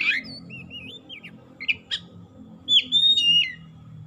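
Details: Oriental magpie-robin lure song for quiet birds: a harsh note, a rippling whistled run, two sharp chips, then loud bright sustained whistles, over a steady low background hum.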